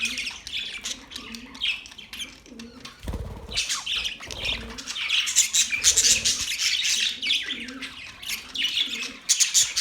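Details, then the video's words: Flock of Australian parrots, October 10, 2023, keeping up a busy stream of harsh squawks and chirps, with a short dull thump and soft low cooing notes below. "Beautiful Australian parrot sounds | Parrots talking sound"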